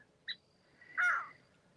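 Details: A crow near water around sunset under a clearing sky gives one hoarse, harsh caw from a distance, lasting about a quarter second, after a brief faint higher note; it seems to answer a person, possibly warning.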